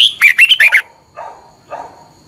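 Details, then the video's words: Caged Red-whiskered bulbul from Thailand gives a quick phrase of four or five rich, warbling whistled notes, followed by two softer low notes; recording used for morning training of caged birds. "นกกรงหัวจุก, 30 นาทีทุกเช้า เพื่อให้นกเรียนรู้ที่จะพูดได้อย่างรวดเร็วและหนักแน่น"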